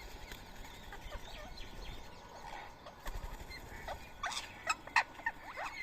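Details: Rose-ringed parakeets feeding on soaked boiled rice at 7 AM on 31 March 2024 in Coimbatore, India; scattered short chirps and squawks, then a denser burst of sharp calls near the end over steady background hiss.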